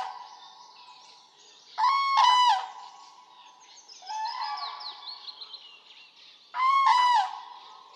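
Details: Loud rolling trumpet calls of a common crane in Poland, two strong bursts about five seconds apart with a softer call between, over faint high twittering of small birds.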